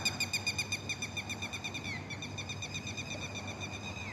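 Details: Night bird heard in the Philippines, whose frightening night calls are linked to the aswang: a rapid series of sharp, nasal notes, about seven per second, then a fainter, slower run of similar notes over a low background hum.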